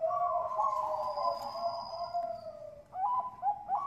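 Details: Bangkok-type zebra dove cooing as a lure for other birds: a long smooth humming coo sliding slightly downward, then short looping notes, over a noisy background.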